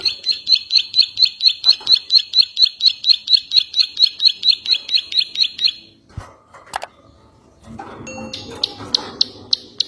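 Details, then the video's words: Ciwah song used as training material for other songbirds: a steady run of sharp, high, double-toned notes repeated about twice a second for six seconds, then a pause, faint rustling and a few brief high chips. "Masteran ciwah mp3"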